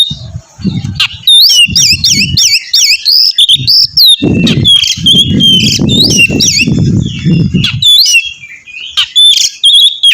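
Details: Oriental magpie-robin, a loud 'gacor' singing bird used to prompt another magpie-robin to sing: rapid varied whistles and sharp chirps around 3-5k, repeated rising-falling slurred phrases, with bursts of low thumping noise in the background.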